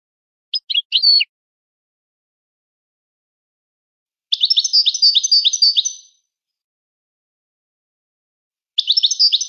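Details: Moroccan goldfinch giving a few sharp high chips, then after a pause a fast, trilled burst of rapid twittering lasting nearly two seconds, and another trill starting near the end; silence between phrases.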